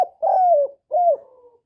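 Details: Spotted dove calling to lure other doves: two loud, smooth hooting coos, the first long and gently falling, the second shorter with a soft trailing tail.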